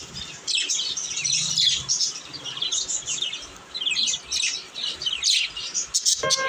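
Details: Several young pet budgies sound happy, giving a lively chorus of rapid, squeaky chirps and fluttering warbles that swell and fade in waves, ending with a few sharp, clipped notes.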